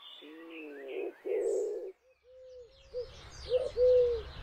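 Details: Eurasian collared dove (Streptopelia decaocto) at a UK garden gives its low, hollow three-part coo, the middle note longest, with faint high chirps from small birds and a low rumble behind.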